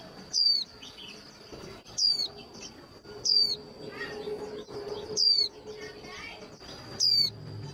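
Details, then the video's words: Female white-eye call used to excite male birds before singing contests: bright downward-sliding whistles spaced one to two seconds apart, a constant high-pitched tone underneath and soft chattering in the gaps. "Tiếng khuyên mái kích trống nhanh líu"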